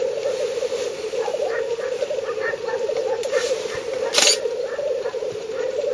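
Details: Black grouse at their spring lek in northern Finland, 30 April 2011, from 50–70 m: a continuous bubbling roll with a series of short, higher notes in the middle and one loud hissing sneeze.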